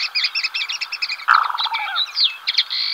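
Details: Black-bellied sandgrouse, one of a pair moving across waste ground in Spain's western Llanura Manchega in early July; a single throaty, bubbling churr sounds amid a dense chatter of high chirps from other birds.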